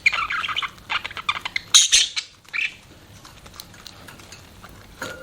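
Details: Pet budgerigars give scratchy chirps and a sharp squawk over the first two seconds, then softer, sparse chatter trails off into quiet background with one brief late note.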